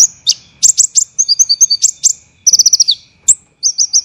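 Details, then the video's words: Olive-backed sunbird song used as training material for songbirds, dense and harsh: rapid high trills of short repeated notes in bursts, some falling at the end, separated by brief pauses; a faint steady hum underneath. "MASTERAN KONIN tembakan rapat dan kasar UNTUK ISIAN"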